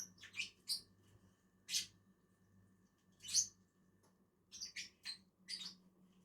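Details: Pair of lovebirds feeding in a tree: sharp, high, squeaky chirps come in irregular clusters, some doubled, separated by brief silences.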